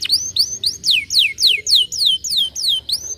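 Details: Canary singing to encourage lazy canaries to sing, a regular series of loud high whistled notes sliding steeply downward, about three to four per second, each with a brief upward flick at the start.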